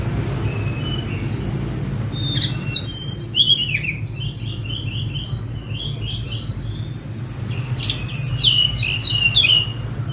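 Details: Sunda robin let out of its cage, recorded on a phone; bursts of very high, quick chirped and trilled notes in clusters, separated by short pauses, over a constant low hum.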